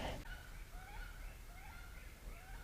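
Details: A wood duck flying over spring woodland gives faint, rising squealed whistles, about one every half second, over a low rumble of wind and handling noise.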